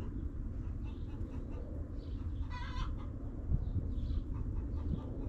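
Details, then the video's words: Backyard hens in a coop give one brief, strained, harmonic call in the middle. Faint, soft clucks surround it over a constant low-frequency hum. "Rooster Crowing! Hens Clucking!"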